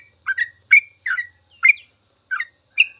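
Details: Sooty-headed bulbul in long, continuous 'ropel' song, used as a training recording for caged birds: six short bubbling, slurred whistled phrases about half a second apart, each a quick rising-falling flourish, in otherwise quiet surroundings.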